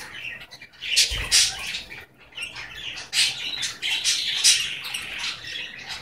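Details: Male Goldie's lorikeet kept as a pet, talking and reportedly saying "give me a kiss"; continuous raspy, high chattering syllables rising and falling in loudness, with a short thump partway through.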